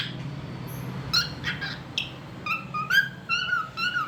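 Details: Singing pet cockatiel: a few short scratchy notes, then a steady series of clear whistled, slightly rising tones repeated about every half second over low room hum.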